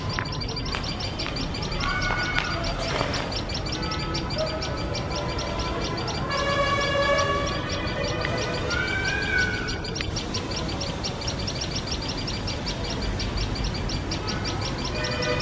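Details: Pair of tailorbirds keeping vigil on their nest while a male cat sits nearby, scolding with a continuous run of shrill high chips about three per second; other whistled and wavering tones and low noise in the background.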